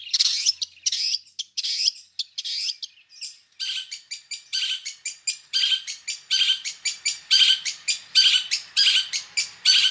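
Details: Long-tailed shrike (cendet) in a full mixed song. It opens with several loud scratchy bursts, then settles into a fast, steady series of short high chattering notes, roughly two to three each second.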